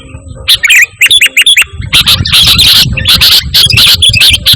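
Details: Sooty-headed bulbul song without imitated phrases, meant for luring and tutoring pet birds. A few clear, quick chirps open into loud, harsh, buzzy chattering bursts over a low rumble.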